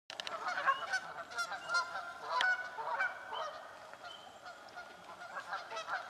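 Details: Canada geese fighting for nesting spots in a swamp: a chorus of loud, overlapping nasal honks, some in rapid bursts, with a steady background hum.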